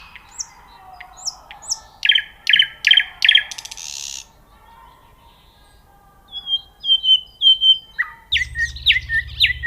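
Nightingale song: varied phrases of rapid repeated notes, pure rising whistles and buzzy trills, broken by short pauses; a low hum joins near the end.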